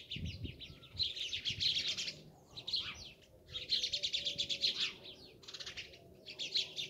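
Sparrows chirp in dense, overlapping bursts of rapid, high twittering notes, pausing briefly between bouts; a faint low rumble sits underneath.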